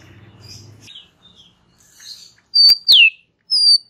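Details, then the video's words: Relaxed white-rumped shama song meant to prompt young and forest-caught birds: soft, scattered chirps and low rumble at first, then two loud, clear whistles sweeping downward and one more high whistle after a short gap. "Ocehan SANTAI Murai Batu COCOK untuk pancing PAUD PASTOL dan Muda HUTAN"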